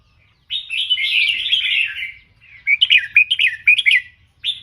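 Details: Red-whiskered bulbul tutor song in 'double three, professional' style: a smooth, slurred warbling phrase over about two seconds, then a series of sharp, separate whistled notes in quick succession.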